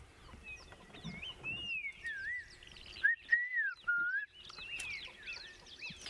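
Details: Black-crowned tchagra (Tchagra senegalus), unseen in a mixed bird party by a dry river system on a sunrise safari, 12 November 2016, gives a partial call: a short run of loud, clear, slurred rising-and-falling whistles over a busy songbird chorus.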